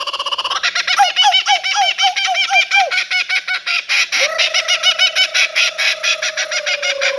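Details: Australian laughing kookaburra (Dacelo novaeguineae) laughing: rapid, rhythmic hoots and cackles rising to a frantic chatter, then a long falling, wavering note near the end.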